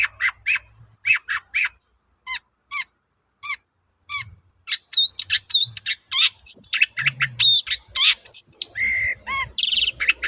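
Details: Long-tailed shrike in full song, used as a lure to make other shrikes answer: sharp separated chips, then a rapid run of varied whistled, slurred and buzzy notes, high-pitched and lively throughout.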